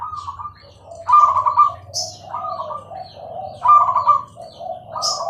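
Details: Singing zebra dove, Bangkok type: overlapping trilled coos with falling low endings repeat about every two and a half seconds, with occasional high chirps and a low hum behind.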